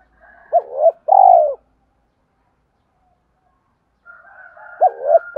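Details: Spotted dove cooing, played to stimulate and train decoy birds: a short wavering double note followed by a longer, falling, hoarse coo. After a pause of about three seconds the phrase begins again, with faint higher tones in the background.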